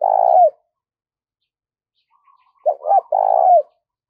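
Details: Spotted dove used as a decoy bird, calling to lure and stimulate other doves. It gives two hoarse, low cooing phrases separated by a long silence, the second a stuttered double note followed by a drawn-out coo.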